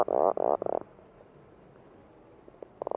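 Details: Puffin giving a short run of low, buzzy, groaning pulses that stops after under a second, followed by quiet and a couple of brief growling notes at the end.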